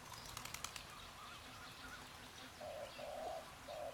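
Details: Hume's bar-tailed pheasant, subspecies burmani, at a breeding center in Chiang Mai, Thailand. Wing flapping comes first, then three short, mellow, low hooting notes near the end, with faint chatter from other birds behind.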